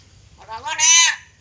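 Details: Pet black-capped lory imitating a human calling a name in one harsh, nasal, voice-like phrase under a second, rising then held and bright; it also says "halo", "cewek" and "assalamualaikum". Faint background murmur.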